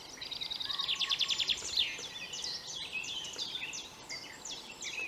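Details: A common chaffinch sings from a flowery perch, delivering a bright, accelerating trill of about ten repeated notes that ends in a sharp flourish, followed by softer high chirps and distant bird calls over a constant background hiss.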